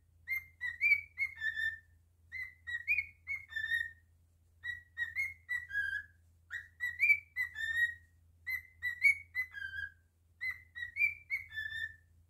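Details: Pet cockatiel singing indoors: a clear whistled phrase of rising and falling notes, repeated about every two seconds, six times in a row, with a steady low hum underneath.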